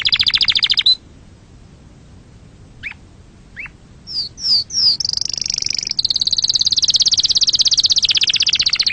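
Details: Song of a canary, used to teach chicks and for mating: a short high trill, a quiet gap with scattered sharp notes, three descending whistles, then a long rapid high trill.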